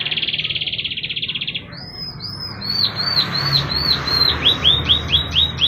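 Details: Canary song used as a lure to set other canaries singing, including young birds and those that have stopped singing: a fast, even buzzy trill lasting under two seconds, then a run of clear downward-arching whistled notes, about three per second.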